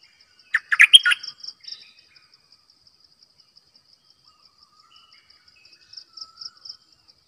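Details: Decoy bulbul giving a single burst of bubbly, warbled notes early on, followed by long quiet with faint distant chirps and a persistent high pulsing insect trill.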